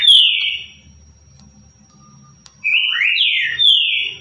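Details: Currucutil song type of the green-winged saltator: a loud descending whistle, a quiet gap with a faint low hum, then a linked phrase of full whistles that rise and fall before a long downward slur.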